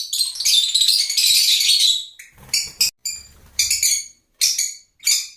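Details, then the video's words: Lovebirds giving loud, piercing squeaky chatter, a long continuous burst followed by several short sharp calls separated by brief silences, with a faint low rumble in the gaps. "Love Birds Nature Sound"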